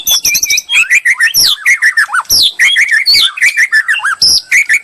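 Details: White-rumped shama song as bait for a bold answering bird; quick trills and chattered notes give way to sweet rising and falling whistles repeated in short bursts.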